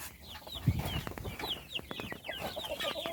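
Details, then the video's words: Feeding chicks peep in clear, high, falling notes, several birds overlapping, after a low thud at the start, with light pecking clicks throughout. "صوت الدجاج // little chickens chirping SOUNDS"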